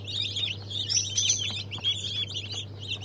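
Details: Many newly hatched chicks, Brahma, Fizan, Australorp and Legbar breeds, March 2023: busy chorus of high, wavering peeps and short trills, some clearer whistled notes, above a low constant hum.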